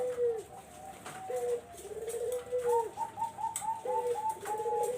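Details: Barbary dove coos, used for luring zebra doves. Low rolling coos are overlaid by a run of higher, evenly spaced short notes in the second half.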